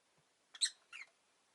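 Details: Rosy-faced lovebird on a relaxed afternoon: two short shrill high chirps in quick succession, the first louder and sharper, over a quiet background.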